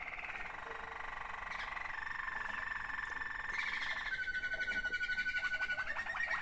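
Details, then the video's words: Waterslager canary song from one of two sibling birds: a long bubbling rolled passage under sustained tones, shifting to a thin steady whistle then fast rattling trills. "waterslager 2 αδερφάκια."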